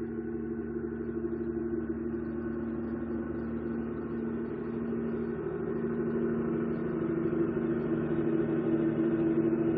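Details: A steady, low droning hum with a faint rumble runs throughout, and no animal calls can be heard.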